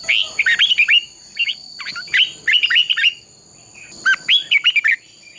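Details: Red-whiskered bulbul fighting song, sung competition-style to train and excite other bulbuls: three separate bursts of four or five bright, quick whistled notes with about a second of quiet between bursts, and a steady high whine throughout.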